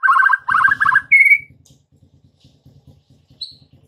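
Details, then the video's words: White-rumped shama song as an afternoon lure meant to make young shamas sing back: three loud rapid warbled bursts, then a clear rising whistle and a lone high note, over a steady low pulsing hum. "PANCINGAN MURAI BATU SORE HARI UNTUK TROTOL DAN PASTOL, AGAR MURAI NYAUT GACOR"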